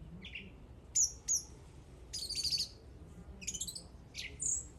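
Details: A bird sings thin, very high whistles and sharp chips, with a fast stuttering trill in the middle and a final rising whistled note.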